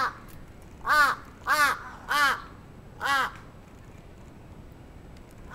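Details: Attacking crow, Atsubetsu Ward, Sapporo, 27 June 2017: four loud, hoarse, arched caws about half a second apart, followed by near quiet.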